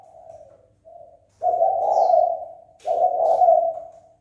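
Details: Spotted dove calling to provoke fighting: soft low coos followed by two long, loud, throaty rolling coo phrases back to back, with a short high chirp in between.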